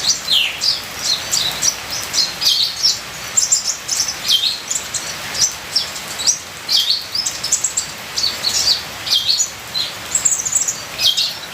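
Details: Long run of ninja sunbird song with full fills, a training recording: dense, very high, sharp twitters and chirps in repeated bursts roughly every second, over a constant rain-like hiss.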